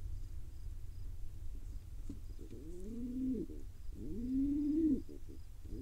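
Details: Wild baby pigeon begging from its feeding father in Israel: faint clicks, then two longer squealing whistles that rise and bend down at the end, against low rumbling noise.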